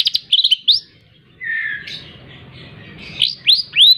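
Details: Caged, hand-reared long-tailed shrike, tutored with mp3 recordings and fed insects morning and evening, singing in the busy 'full isian' style: quick high chirps and upslurred whistles, a quieter buzzy stretch mid-way, then sharp rising notes return.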